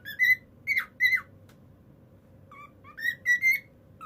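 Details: Pet cockatiels: a few loud whistled notes with sharp upward and downward bends, a quiet gap, then a second quick series of rising whistles.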